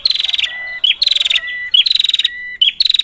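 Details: Prinia heard close up, used as a lure: three fast pulsing rattles, each trailing into a long steady whistle, with a small chirp linking each phrase.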